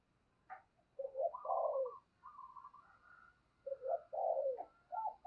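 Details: Spotted dove used as a decoy for wild doves, uttering breathy cooing phrases against a steady low background hiss.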